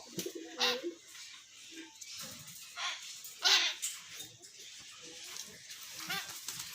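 A common hill myna talks in short, speech-like bursts, some husky and some bright and whistled, with pauses between them in a quiet room.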